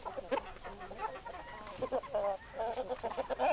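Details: Chickens called with a favourite treat cluck and churr in close, continuous bursts, several birds overlapping in lively, rising-and-falling chatter.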